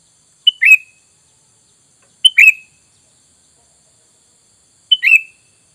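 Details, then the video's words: Lure call of a sooty-headed bulbul, meant to make wild birds answer at once: three short, bright double-note chirps, each a clipped note followed by a slurred downward phrase, spaced roughly two and a half seconds apart in quiet surroundings. "Dengan Surara ini kutilang bahan Langsung nyaut"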